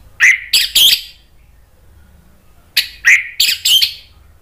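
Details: Orange-headed thrush in Indonesia, agitated and answering a lure recording, joining in loud ngeplong singing: two bursts of three to four harsh, buzzy, rapid notes, separated by about two seconds of quiet with low background hum.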